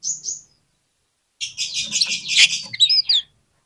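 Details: Oriental magpie-robin singing, used to coax a reluctant bird into responding: a short high whistle, then a dense burst of harsh buzzy chatter ending in bright upslurred whistles.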